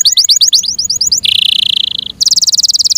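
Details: Caged Yorkshire canary delivers a fast series of high chirps, a long steady buzzy trill, then a second rapid pulsing trill, all loud and high-pitched.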